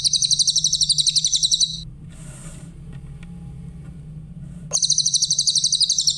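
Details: Grey-headed canary-flycatcher singing rapid, high, evenly pulsed trills, one at the start and another after a three-second gap with faint rustling, recorded for training other songbirds.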